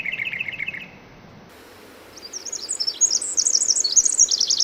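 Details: Pacific wren (formerly Winter Wren) in the Hoh rainforest, June 2011: a brief lower trill, a pause of near silence, then a rising rush of very high, rapid tinkling song phrases.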